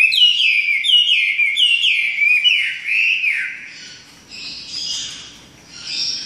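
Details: Chinese hwamei delivering four or five loud, repeated slurred whistles, each swooping down then up, about one per second, before trailing off into softer, scattered, higher notes.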